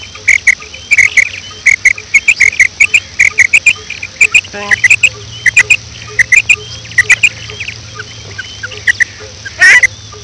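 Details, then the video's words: Female quail calling in the morning: short, sharp, high chirped notes, often in quick pairs, repeated steadily through the recording, with scattered loud clicks and taps and a low steady hum beneath. "madi batair ki kirk"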